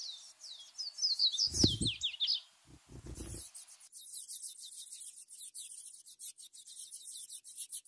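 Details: Ultramarine grosbeak chicks during feeding. A series of falling squeaky notes is interrupted by a couple of dull thumps, followed by a steady, fast run of soft buzzy high ticks.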